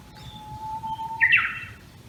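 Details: A Japanese bush warbler in a bamboo thicket near a house in Tokyo's Tama area, early morning of 26 May 2019, holds one long, steady, low whistle for about a second, then ends with a quick, bright, rising flourish: the 'ho-hokekyo' song.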